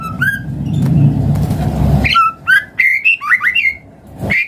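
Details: Song of a white-rumped shama played to stimulate other birds to sing: a few whistles over low rumbling noise, then a lively run of rising and falling whistled notes.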